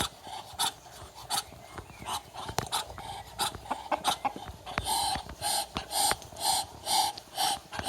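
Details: Backyard Muscovy ducks arguing give breathy, puffing hisses that start irregular, then settle into a steady beat about twice a second and grow louder toward the end.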